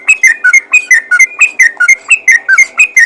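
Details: Yellow-vented bulbul calling briskly to other bulbuls: an even, continuous string of bright, liquid whistled notes, about five per second, alternating rising and falling slurs.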